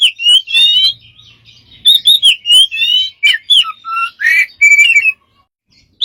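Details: Bird with many strange sounds pours out a fast sequence of chirps, warbled whistles and short trills, ending in a brief silence and one last chirp.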